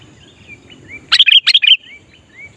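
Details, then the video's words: Sooty-headed bulbul singing to lure wild bulbuls: one quick burst of about five bubbling whistled notes, with fainter slurred whistles before and after from other birds. "Kutilang Gacor Memancing Kutilang Liar"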